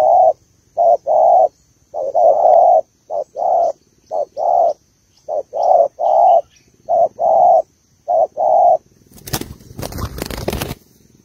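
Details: Female spotted dove of the Malaysian type calling to rouse a male, giving mellow two-part coos, a clipped note then a longer one, repeated in a loose series about once a second, ending in a burst of rough handling noise.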